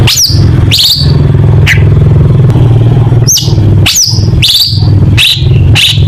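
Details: Long-tailed shrike singing in a contest-material recording: sharp, high whistled notes sweeping steeply downward, repeated roughly every half second to second, over a loud, steady low engine-like hum.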